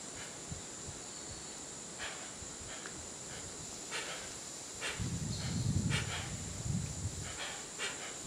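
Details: Hoarse, hissing bursts from a hoatzin in Peru's Tambopata National Preserve, 2014, spaced irregularly, with a low rumbling patch midway and constant high-pitched insect buzz behind.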